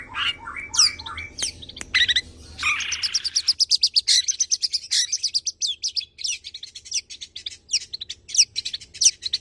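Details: Varied, rapid-fire song from a tame long-tailed shrike, kept to coax and tutor other birds: lower chattering phrases and steep whistled slurs, then quick high ticking notes mixed with shrill upslurs.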